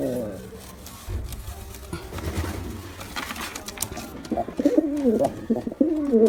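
A male pigeon gives deep, throaty rolling coos, swelling and falling in quick repeated phrases, with soft room noise behind.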